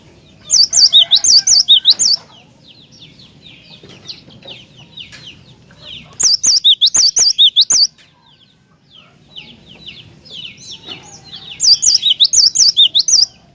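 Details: Cinereous tit song used to provoke other tits into singing: three loud bursts of rapid, high, whistled two-note phrases, alternating high and low, each burst about one and a half seconds long, with softer chirps from other birds between them.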